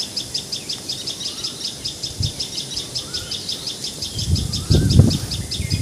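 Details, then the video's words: Common tailorbird in Assam, India, calling a rapid series of sharp, high notes, about four a second, with faint lower whistles and low rumbling noise near the end. "Call Of Common Tailor Bird!"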